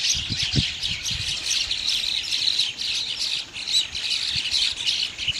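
Bank mynas chatter noisily as a flock: a dense, continuous mix of harsh squawks and chirps, with a few faint low thumps underneath.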